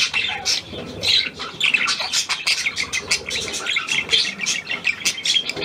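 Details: Fast, rattling chatter with squeaky chirps and clicks, rising and falling in short pulses, from a hand-tame Australian pied budgerigar newly acquired and recorded 17 February 2023.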